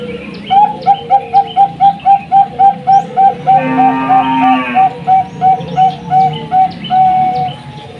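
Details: Bangkok-type zebra dove played as a lure to stimulate other doves to sing: a steady run of short, mellow cooing notes repeated about three or four per second, with higher chirps and twitters from other birds behind.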